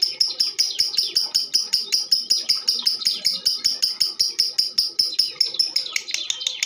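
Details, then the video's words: Female lovebird used as a lure to set other birds singing, giving a long run of sharp, clicky high chirps repeated about two to three times a second, steady and even, turning into a jumbled chatter at the end. "SUARA LOVE BIRD BETINA"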